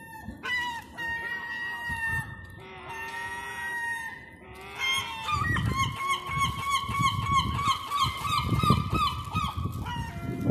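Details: Hungry gulls calling for food during lockdown on a downtown street in Eastbourne, East Sussex, UK: loud harmonic wailing calls, several in quick rapid series, overlapping near the end, over low city rumble.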